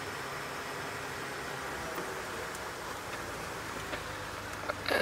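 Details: Steady broadband rumble and hiss like wind or a passing vehicle, with no animal calls and a brief knock at the very end.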